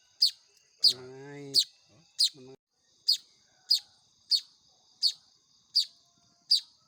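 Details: Baya weaver chicks begging during hand-feeding, shrill downslurred chirps repeated about every half second, while a person's voice briefly speaks early on.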